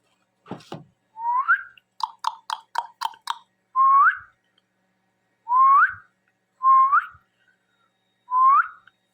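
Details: Pet Indian ringneck parakeet, a talking parrot, giving short rising whistled notes repeated every second or two, with a quick burst of sharp clicks partway through; no other sounds.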